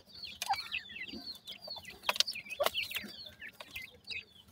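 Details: Partridge chicks doing a strange teetering movement utter continual high, quick chirps in a chattering chorus, punctuated by a few loud sharp clicks.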